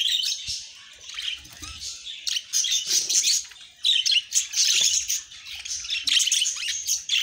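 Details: High, busy chirping and twittering from pet budgerigars, coming in uneven bursts with short quiet gaps.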